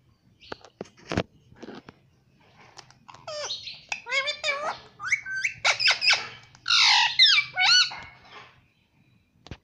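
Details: A pet rose-ringed parakeet imitating words such as "mummy" indoors, with scattered clicks, then a burst of nasal, harmonic speech-like syllables and squawks in the second half.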